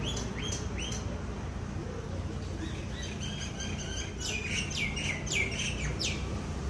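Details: Myna bird chirping; a series of short high chirps and downward-sweeping notes, sparse at first and becoming a denser burst in the second half, over a steady loud background hiss of noise.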